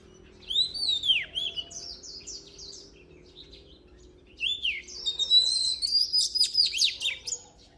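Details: Oriental magpie-robin song for voice training: a sweeping whistled phrase, a quiet pause, then a fast run of repeated buzzy notes and high whistles, with low background hum.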